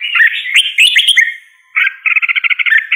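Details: Red-whiskered bulbul singing: bright, bubbly warbled notes in a dense burst, a short pause, then a fast run of clipped pulsed notes repeated about ten times.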